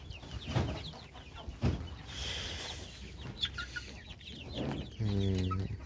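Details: Two-month-old Egyptian Fayoumi chickens give soft, scattered clucks, ending in a longer low, nasal cluck, over a steady low hum and occasional knocks.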